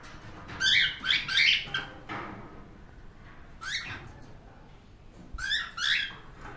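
A cockatiel gives bright, warbling whistles in short bursts with brief pauses between them.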